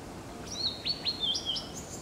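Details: Blue-and-white flycatcher singing: a short phrase of clear high whistles, some sliding downward, others drawn out and level, given in quick succession over quiet background noise.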